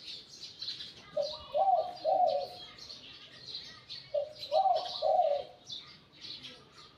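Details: Wild-caught decoy spotted dove, medium-to-deep voice, Liu Tan style. Two repeated phrases about three seconds apart, each a short soft note leading into two vibrant, rolling coos, with thin chirping from other birds throughout.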